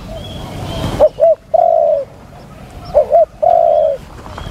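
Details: During a decoy-luring session, a spotted dove gives two soft, low phrases about two seconds apart, each two quick notes then one long drawn-out coo, after a short rustling burst; spotted dove cooing.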